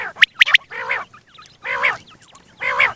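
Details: Male quail, a single bird, heard morning and night for hunting: it opens with a crisp three-note whistled phrase, followed by three broad, harsh, nasal rasping calls spaced about a second apart.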